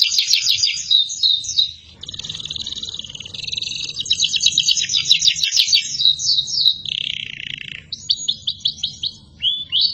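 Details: Canary in full song as a model for other birds, high chattering trills, a brief pause, a long buzzy rolling phrase, a lower slurred trill, then separate sharp notes.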